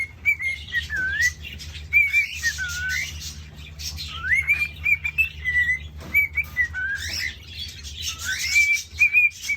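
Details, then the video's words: Captive male cockatiel courting a hen with a long whistled song: repeated rising and falling whistled phrases mixed with raspy chattering, running continuously with short breaks. "Cockatiel Courting Ritual/ Behavior Compilation"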